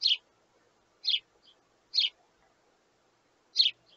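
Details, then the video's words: Sparrow chicks beg their parents for food with loud, high, rasping chirps about once a second, four main bursts, some followed by a fainter short peep. "Baby Sparrow Wants More"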